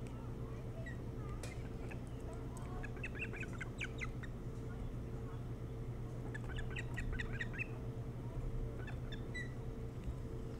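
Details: Osprey calling at its nest on Hog Island, Bremen, Maine, early morning of 3 July 2018, via nest cam: two bursts of rapid, sharp, whistled chirps separated by a pause, over steady mechanical hum.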